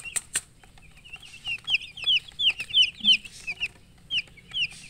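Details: Chicks give clear, high peeps that slide downward, roughly three a second, after two sharp clicks at the start, with a faint lower note heard once.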